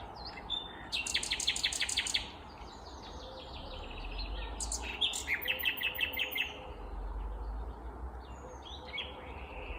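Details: Morning song of a vagrant Common Nightingale in Kvarnbo, Uppsala, Sweden, 19 May 2021; loud rapid pulsed trills with broad, harsh notes, a pause, then another vigorous trilled phrase over low background rumble.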